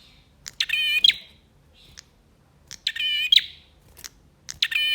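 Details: Male bar-winged prinia singing energetically, used to stir silent birds into song: buzzy, rattling trilled phrases about a second long repeat every two seconds or so, with sharp clicks between bursts.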